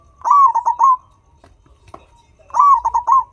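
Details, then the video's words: Local turtle dove described as gacor, a vigorous caller: two low cooing phrases about two seconds apart. Each is a rolling coo broken into several quick pulses and ends in a drawn-out note, over a quiet background. "The Local Gacor Turtledove That Pulls The Sound immediately Makes a Sound"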